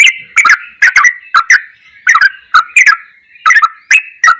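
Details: Sooty-headed bulbul ropelan goklikan song for masteran use: paired and single clicking notes with falling liquid tails, in uneven bursts about two per second, with a short lull midway.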